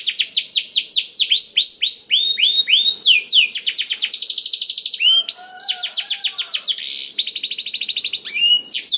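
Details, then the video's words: Black-throated canary song used as a training track to prompt other canaries to sing: rapid series of sweeping descending whistles, then long fast buzzy trills and rattles, with short high chirps between phrases, continuous and loud. "KENARI ISIAN BLACKTHROAT #181 || VOICE OF CANARY"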